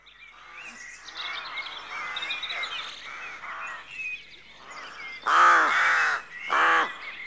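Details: Rooks at a rookery at dawn: a soft background chatter of overlapping calls, then two loud, harsh, hoarse caws near the end, each rich in stacked harmonics and lasting under a second.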